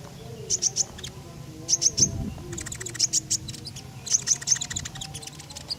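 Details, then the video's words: Common iora in full voice, recorded as a lure for other birds: crisp high notes delivered in tight triplets, repeated about once a second, interspersed with a buzzy ticking series. "Tembakan JITU Burung KONIN Gacor, Sangat Cocok buat Pancingan."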